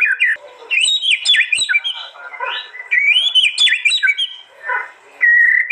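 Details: Murai batu (white-rumped shama) from East Java, Indonesia, phone-recorded for a compiled master track: irregular bursts of varied whistles, sharp high notes and chatter, separated by short pauses.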